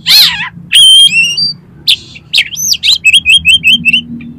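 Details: Oriental magpie-robin singing hard, used to spur competition birds: an opening harsh rasp, clear ringing whistles, then a rapid steady series of six identical slurred whistled notes at the end.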